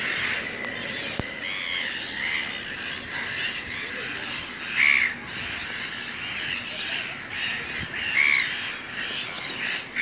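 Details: Black-billed gull chick being fed by a parent in a dry part of the colony, 7/12/19: harsh, squawking begging notes with a couple of brief, higher squeals, over a steady hiss of colony noise.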